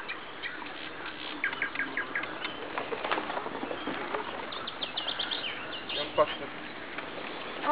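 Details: Nightingales singing in spring along a road beside the Klyazma river: varied bursts of clear whistles, short trills and sharp clicks, some notes repeated in quick series, with faint human voices in the background.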